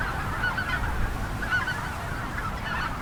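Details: A flock of Greater White-fronted Geese in western Minnesota in early April during spring snow, some flushed and a huge flock resting on ice, gives high, yelping, laughing calls in loose bursts over steady low wind rumble.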